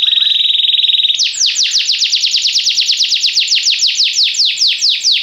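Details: Yellow Belgian canary singing: a steady buzzy trill opens the phrase, then gives way to a fast run of sweeping downslurred notes, repeated several times a second and bright throughout.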